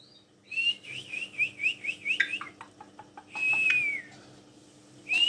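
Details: Docile black-collared starling used to lure other birds to sing gives a rippling series of wavy whistles, a few dry clicks, then a long whistle falling in pitch, with another whistle starting.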